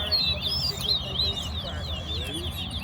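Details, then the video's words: A Large-billed Seed-Finch (towa towa) sings during a Guyanese song-count competition: a rapid, continuous run of sweet whistled warbles rising and falling in pitch, over a low hum and faint voices counting. "Towa Towa Bird Competition"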